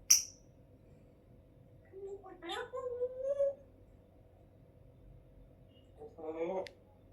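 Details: Pet African grey parrot in a good mood, talking and said to repeat "Allahu Akbar" and "Allah": a sharp click, then a rising, voice-like phrase and a later short vocal burst, indoors over a steady hum.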